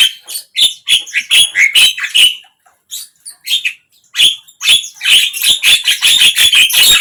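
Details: Javan myna singing, a recording meant to coax a silent bird into opening its beak and singing: harsh, raspy chattering notes in quick bursts, a short pause, then a fast run of scratchy repeated notes.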